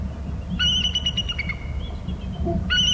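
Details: Bald eagles at a nest on Hornby Island calling and alerting while a parent leaves and returns: a high, thin whistled note held steady, then broken into quick stuttering pulses, repeating after a pause, over low rumbling background noise.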